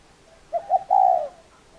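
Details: Single spotted dove phrase with two clipped, low hoots leading into a long, smooth, gently falling coo, heard clearly over a still background.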